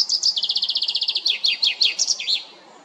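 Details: A complete common chaffinch song from La Perle du Lac, Geneva, Switzerland, serving territorial defence and mate attraction: a fast, even trill about fifteen notes long stepping lower, then emphatic slurred notes and a closing flourish.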